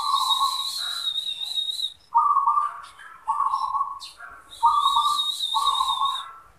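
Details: Kept zebra dove singing: a series of rolling, purring trilled coos at one steady low pitch, each lasting about a second, in close bursts, with a thin, high, steady whistle heard twice alongside.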